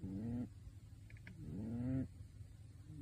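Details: Snoring from a pet pigeon dressed in a bird suit, asleep. Two drawn-out, buzzy, upward-sliding breaths, the second longer, with a brief soft click in the gap.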